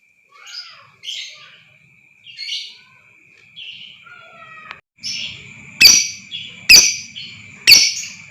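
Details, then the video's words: Lovebird calling used to excite other birds into long 'ngekek' trilling. Soft buzzy chirps and a few lower falling whistles come first, then louder rasping chirps punctuated by three sharp shrieks roughly a second apart, over a steady high whine. "lb AKAN TERPANCING NGEKEK PANJANG,DAN GACOR Dengar Suara ini Super Ampuh Naikan Emosi Lovebird Pakum"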